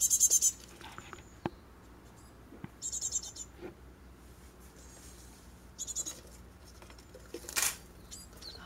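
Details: Japanese tits fledging from a nest box in a Chinese holly in a garden in a residential area near a mountain village, six chicks leaving with both parents attending; short bursts of high, hissing chatter come in clusters, with quiet pauses between them.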